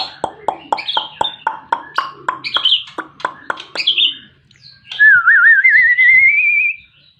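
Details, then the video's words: Long-tailed white-rumped shama singing: a run of about fifteen short, sharp, rhythmic notes repeated rapidly, then a pause and a long wavering whistled trill that rises slowly toward the end. "Kicau Burung Murai Batu Ekor Panjang"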